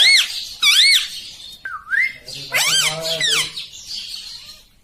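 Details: Green rose-ringed parakeet squawking loudly, a run of arched shrieks with a lower drawn-out rising squawk near the start, followed by a buzzy, hoarse cluster of calls.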